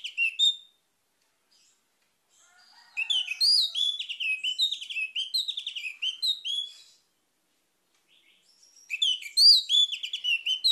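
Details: Orange-headed thrush: a long, rapid sequence of high, buzzy, descending whistled notes, with a brief phrase at the start and another energetic burst near the end.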